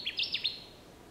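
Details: Connecticut warbler in Wisconsin, 30 May 2016: four quick, bright, slurred notes in half a second, a brief burst of its loud chanting song, over faint background hiss.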